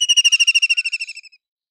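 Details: Shrill, pulsing trill of a White-throated kingfisher, many rapid notes that weaken and descend slightly before stopping abruptly.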